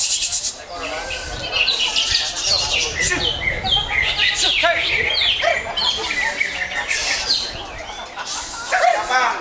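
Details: Greater green leafbird, known as cucak hijau, delivering a rich, continuous song of fast varied chirps, slurred whistles and trills, with background voices and chatter throughout.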